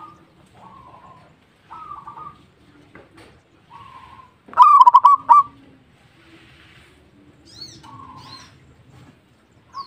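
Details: Local zebra dove delivers a single loud, quick, stuttering coo phrase midway, surrounded by softer, drawn-out cooing notes and faint chirps in a quiet setting.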